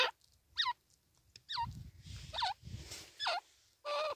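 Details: Grey francolin (Ortygornis pondicerianus), call.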